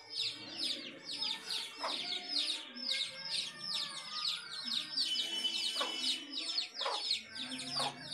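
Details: Chicks beside their mother hen at a home give dense bursts of thin, descending cheeps, roughly two a second in runs, mixed with a few soft low hen clucks.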